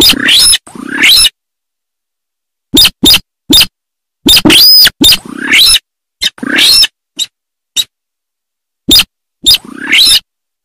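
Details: Sintar sawah giving loud, grating calls: short clipped notes and longer rasping phrases with a ringing high overtone, delivered in uneven clusters with sharp silences between.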